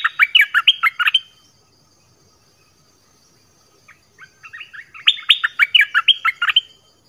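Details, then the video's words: Two phrases of rapid falling whistles from a nok dok taeng, the double song used to train young birds, split by a quiet gap with a few softer chirps before the second phrase. "เสียงนกดอกแตงEp.5 Birds sounds เพลงเบิ้ล เปิดให้ลูกนก-ลูกเสอร้องตาม"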